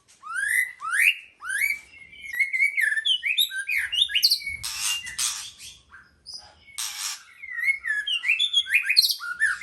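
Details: White-rumped shama delivering a fast series of upslurred whistled notes and warbles, broken by loud harsh rattles, continuing in varied melodic phrases.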